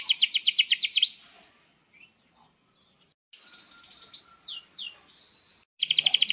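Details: Canary song used as a tutor for young canaries: a brief rapid trill ending in a rising note, a quiet stretch with faint thin sweeps, then another bright fast trill.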